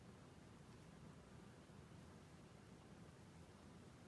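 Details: Steady low, even broadband hiss throughout, strongest in the low range, with no animal voice heard.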